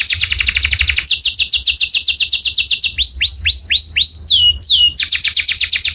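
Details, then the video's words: Canary song played loud as a tutor for other birds: opens with a rapid trill of repeated notes, shifts to slower descending whistled slurs and looping notes, then returns to a quick trill. "O SOM DO CANÁRIO SOM ALTO DE OUTRO PÁSSARO PARA IMITAR"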